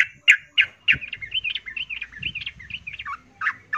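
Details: Female yellow-vented bulbul in breeding condition calling a male: a few sharp opening notes run into a bubbling, gurgling warble of quick rising and falling liquid notes, with faint low background rumble.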